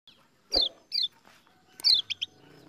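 A white-eye gives bright, high descending chirps in short bursts, followed by a quick pair of higher notes; a faint background murmur underneath.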